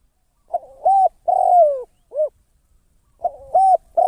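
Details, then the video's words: Spotted dove used as a decoy bird for trapping, calling with a loud cooing phrase of short hooting notes and a long falling coo, repeated after a pause, in a quiet setting. "เสียง นกต่อ นกเขาใหญ่"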